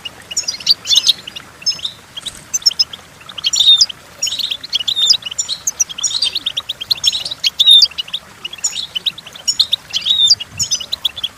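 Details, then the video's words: Goldfinch song, possibly a bird kept for song training: fast, bright twittering and tinkling phrases with short buzzy notes, delivered in quick bursts about a second apart. "The Entrancing Song of Goldfinches"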